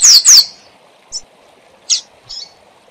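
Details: Double-collared seedeater giving part of its SIL SIL ZEL ZEL tutor song: two loud, high, downward-slurred whistles, then three softer short chirps separated by pauses.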